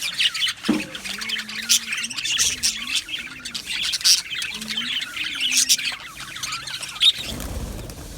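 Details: Aviary colony of Australian budgerigars on 12 July 2025: high chirps and chatter from the flock, with a lower wavering tonal call from another bird running through the middle, ending in a soft rustling noise.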